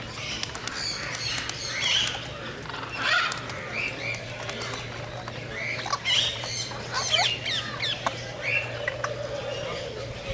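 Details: Scarlet macaw calling, with harsh, broadband squawks in short bursts, the loudest near two, six and seven seconds. Other chirping birds and a steady low hum run beneath.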